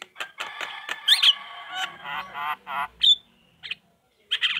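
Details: Javan myna chattering used to prompt replies from other mynas: a dense run of nasal, raspy squawks with a shrill twisted whistle, then a thin whistle and a final harsh burst.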